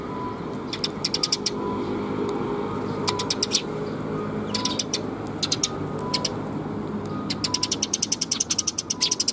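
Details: Several sparrows arriving for food at Suijō bridge, 26 June 2021: repeated rapid bursts of sharp, high chirps throughout, quickening into a regular run near the end, with constant low urban rumble and a thin hum behind.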